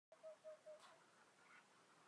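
Whiskered Screech-Owl: three short, clear, mid-pitched hoots about a quarter second apart, then a soft hiss of background noise.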